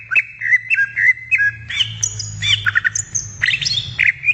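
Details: Greater green leafbird in the wild, singing a rapid string of whistled notes that starts with even repeated phrases and then breaks into varied, higher and more jumbled chirps over a faint low hum.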